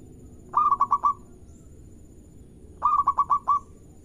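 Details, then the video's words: Local zebra dove song, played to prompt rival birds into calling back: two cooing phrases, each a rapid run of five or six pulsed, slightly warbling notes, about two seconds apart, with faint low hum behind. "Perkutut Lokal Gacor Irama Merdu Bikin Lawan Ikut Bunyi"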